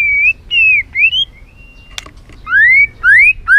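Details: White-rumped shama song: long clear whistled notes, some rising and some falling, repeated with short gaps, plus a sharp click near the middle.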